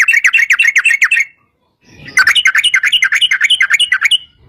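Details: Yellow-vented bulbul song in the long rapid 'ropel panjang' style, used as a lure to get other bulbuls singing: dense runs of quick, bubbly, chattering notes, a short pause, then a second rapid burst.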